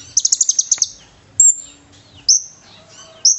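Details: Konin (brown-throated sunbird) fighter song with cililin imitations for training birds: a rapid run of about eight high buzzy notes, then a long thin whistle and two short sharp chirps spaced about a second apart.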